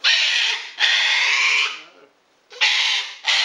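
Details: Rescued Sulphur-crested Cockatoo screeching while handled during a vet examination: four loud, raspy, noise-like screams, the second the longest at nearly a second, with a short pause before the last pair.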